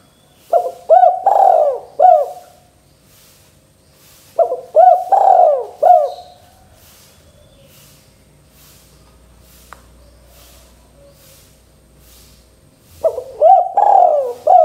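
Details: Spotted dove (derkuku) cooing vigorously to prompt other doves to answer: phrases of soft, rounded coos rising and falling, each of about four notes, repeated with gaps of several seconds. Quiet low hum between phrases.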